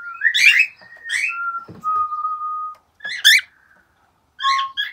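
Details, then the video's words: Pet cockatiels indoors, playing happily while listening to whistling: harsh, buzzy, rising chirps in short bursts alternate with long, steady, pure whistled tones, with brief pauses between phrases in a quiet small room. "玄凤鹦鹉 听口哨 玩得很开心!"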